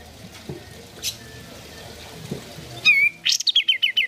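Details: Sooty-headed bulbul used to encourage caged birds to sing: quiet background, then a slurred whistled note followed by a short burst of quick repeated high notes.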